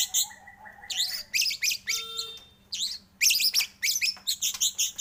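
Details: Shama song (white-rumped shama) used as a lure to stimulate singing: mostly very high, dense, buzzy chattering phrases in bursts, with a short steady low whistle partway through and a faint hum.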